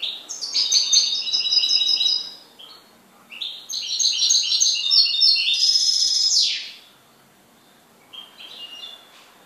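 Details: A goldfinch kept as a pet sings two long bursts of quick, tinkling twittering with buzzy trills and a sweeping final note, then a short, softer phrase after a pause.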